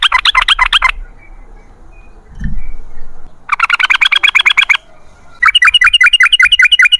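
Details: Yellow-vented bulbul (trucukan) in the long rapid 'ropel ngalas' singing style: three bursts of fast, bubbly, chattering notes repeating several times a second, separated by short silent gaps, with a brief low thump between the first two bursts.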